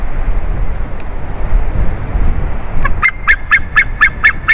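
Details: White-tailed eagle on 30 March 2019 at 14:43 in a changeover on its favourite tree; steady low noise, then seven quick, shrill yelps in a short series at the end.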